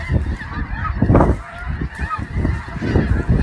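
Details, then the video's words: Snow geese calling together, a steady babble of many short honking notes layered on each other, with a strong low-pitched rumble beneath. "Snow Geese"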